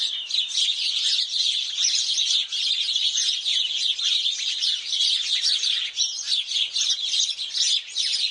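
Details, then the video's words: Many sparrows chirp together while bathing: a dense, unbroken chatter of short, bright chirps and tweets, overlapping constantly without pause. "Sparrows Chirping Sounds"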